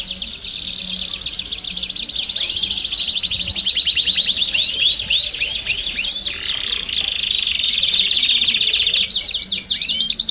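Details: A group of domestic canaries singing all at once as a song stimulus. Continuous high rolling trills and rapid repeated arched notes layer over each other, and a lower buzzy stretch appears near the middle.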